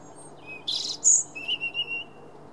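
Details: March robin song, 9 March 2017: a scratchy high burst, a piercing very high note, then a thin level whistle with soft chirps over a quiet background.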